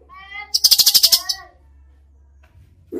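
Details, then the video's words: Cucak cungkok in gacor song with tembakan bursts: a few rising whistled notes lead into a quick harsh rattle of clicks, followed by a lower sliding whistle, with low background hum. "masteran cucak cungkok gacor full tembakan"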